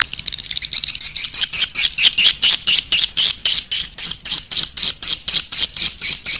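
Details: Swiftlet calling sound played to draw in swiftlets: a steady, fast series of dry, twittering chirps, about four each second, evenly spaced and sustained throughout, with no other sounds.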